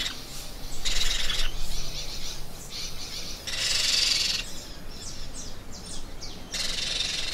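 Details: Parrot giving a series of drawn-out, harsh, scratchy squawks about a second apart, some mixed with brief sweeping notes, over a low background rumble.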